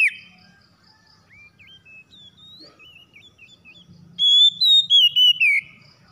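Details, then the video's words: Oriental magpie-robin in lively 'gacor' singing used to prompt lazy birds to sing: scattered soft twittering notes and short upslurs, then a burst of loud, strongly whistled phrases that dip and fall in quick succession. "KACER SUSAH MALAS BUNYI TERPANCING CEPAT GACOR"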